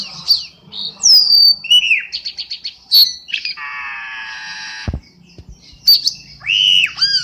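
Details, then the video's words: Black-winged starling lure call used for bird trapping: a busy mix of harsh squawks, sharp rising and falling whistles, a long buzzy rasp and quick chattering notes, loud and varied with brief pauses. "Suara pikat burung cucak Keling"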